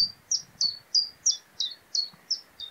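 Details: Common chiffchaff (Phylloscopus collybita) two-syllable song: high, bright chiff-chaff notes alternating in pitch at an even, clock-like tick-tock pace, about three per second, over faint background noise.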